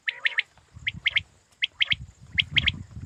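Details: Quail kept for hunting gives bright, clipped triple notes, four quick trios spaced roughly half a second to a second apart, over a low rumbling background.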